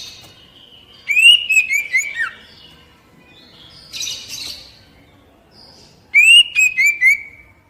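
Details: Oriental magpie-robin (kacer, poci type) song for stimulating untrained captive birds. A loud whistled phrase descends in linked notes. A harsh raspy burst follows, then the same descending whistled phrase repeats about five seconds later.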